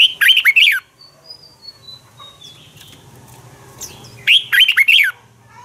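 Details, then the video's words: Red-whiskered bulbul morning song used as a fighting song to train birds: two loud bursts of warbled, slurred whistled notes, each about half a second, separated by a quieter gap with faint thin whistles. "Luyện chào mào hót sáng hay Dùng để thúc bổi căng hót, ép giọng rất hay, chào mào hót đấu"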